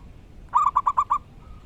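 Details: Wild local zebra dove delivering a single short burst of six rapid, bright cooing notes with a slight rising lilt, set against a constant background hiss.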